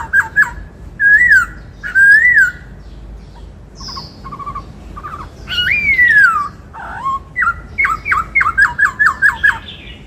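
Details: Kept white-cheeked laughingthrush in 'bắt cô trói cột' voice: paired whistled notes, looping slurs, a squawking burst and a long descending whistle, ending in a rapid series of about eight short sharp whistles.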